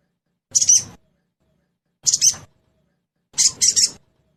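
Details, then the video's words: Sogon (crested jay) in trotol style, used as a lure to get birds singing quickly: three harsh, buzzy bursts, the last a doubled rattle, spaced about one and a half seconds apart. "Suara pancingan SOGON TROTOL agar cepat bunyi"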